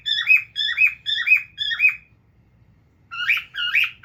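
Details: Indoor pet cockatiel, male, sitting and looking at itself: four evenly spaced shrill chirps, a pause of about a second, then two rougher, broader squawks.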